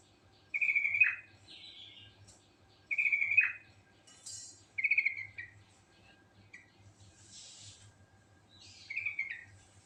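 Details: Sooty-headed bulbul (trucuk) in vigorous ngerol song: loud, slurred whistled phrases, each ending in a downward sweep, given roughly every two to three seconds, with softer higher notes between them and a low steady hum.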